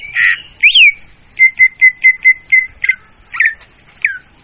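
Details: Leafbird lure sound for trapping, clear and loud: a harsh note and a rising-falling whistle, then six steady repeated whistled notes, ending with a few downslurred phrases.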